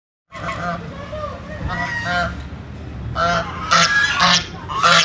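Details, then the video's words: A pair of ducks calling as soon as a person approaches: harsh, nasal, honking notes in uneven bursts, growing louder and denser toward the end. "As soon as they saw me, the pair of ducks started making noise. They say this whenever someone"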